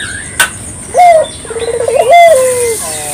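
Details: Local dove used to attract others: a sharp note, a stuttering rolling trill, then a long steady coo sliding slightly down, with a brief click and faint birds behind.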